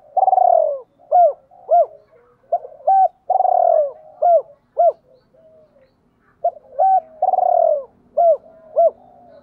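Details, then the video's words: A decoy spotted dove gives deep, hollow cooing in repeated phrases. Each phrase has a long rolling, quavering coo that drops in pitch and is followed by two or three short arched notes. Faint soft murmurs fill the gaps. "Chim Cu Mồi cu moi chuan gáy gọi hai hậu mới nhất"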